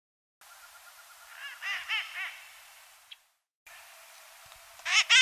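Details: Red-masked parakeet from a small flock of about 15 on the riverfront near Iguana Park, Guayaquil, Ecuador, giving three harsh rasping screeches in quick succession, then a louder grating squawk after a pause, over soft background hiss.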